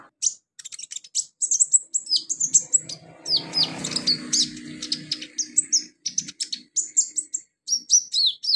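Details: A sunbird sings a fast, high, thin run of chirps and sharp twittering notes with almost no breaks, over a low rumble in the middle, used as a lure to get other sunbirds singing.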